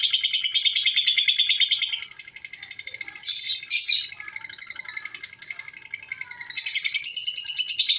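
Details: A lovebird's extended ngekek run, a continuous high-pitched rattling chatter of quick repeated notes that briefly softens and changes tone in the middle before returning to full strength.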